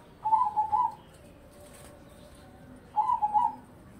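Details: Crossbred zebra dove (perkutut), singing actively, said to sing morning, midday and evening: two short rolling, bubbling coo phrases about three seconds apart, mid-pitched and quavering, over quiet background hiss.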